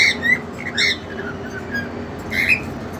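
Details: Softer, whistled chirps from caged cockatiels, a keen male and a two-month-old female, a few sliding notes spread across three seconds over low room hiss.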